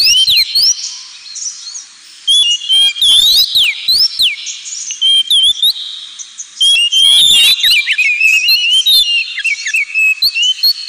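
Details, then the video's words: A pet Oriental magpie-robin sings a 'ngemplong'-style training song, a rich, varied run of clear high whistles with rising and falling slurs and quick twittering phrases. "KACER NGEMPLONG"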